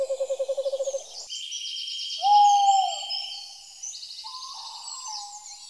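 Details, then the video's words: A quick pulsed trill opens, followed by a clear drawn-out hoot and a softer later note from an owl, over steady high-pitched bird whistles and chirping. "The Most Beautiful Owl in The World And Its Voice"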